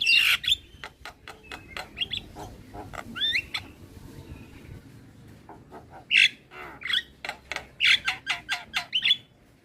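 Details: Javan myna song used as therapy for a quiet bird: loud harsh squawks and rapid clicking runs mixed with short curved whistles, ending in a regular train of sharp notes.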